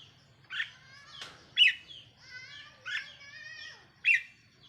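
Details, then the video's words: Caged red-whiskered bulbul serving as a decoy, 4 May 2023; rich chirpy bursts roughly every second, interleaved with ringing, slightly wavering whistled tones and a soft low hum. "เสียงนกต่อ นกกรงหัวจุกแก้มแดง"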